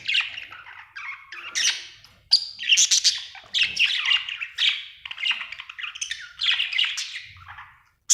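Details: Happy budgerigar chirping continuously, a warbling stream of squeaky whistles, buzzy squawks and rising chirps with barely any pause across the whole stretch.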